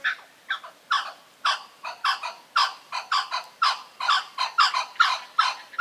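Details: Harsh, angry-sounding cackling of blue-winged kookaburras in Australian woodland wilderness, Kakadu and Arnhem Land. Loud raucous bursts arrive irregularly, around seventeen in six seconds, some doubled, with a quiet background between them.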